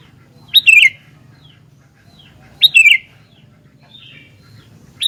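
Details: Singing Sooty-headed bulbul: two clear phrases about two seconds apart, each a sharp rising note dropping into a rich, fluttering warble, with the start of a third at the end. Soft low hum behind.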